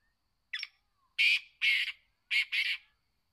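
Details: Loud call phrase of a kept black francolin, known locally as kala teetar: a thin rasping introductory note and four harsh, grating notes grouped in pairs, with a quiet background.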